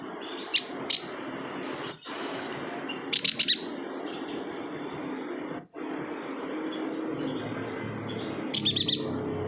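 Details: Yuhina from Kalimantan singing actively, a recording meant for tutoring other songbirds: short high chirps and quick clusters of three or four ticking notes, with sharp downslurred whistles, spaced irregularly over a soft low hum.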